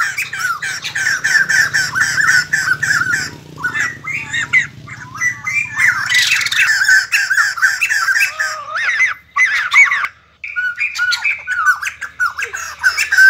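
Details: White-crested laughingthrush, kept bird, singing and dancing: dense run of harsh squawky chatter mixed with wavering whistled phrases, a short silence near the end before the bird starts again.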